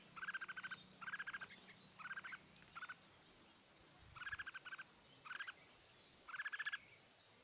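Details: Red-whiskered bulbul calls recorded in Odisha: short bursts of rapid, rich, stuttering notes, each burst about half a second long, repeated at irregular intervals over a steady background hiss.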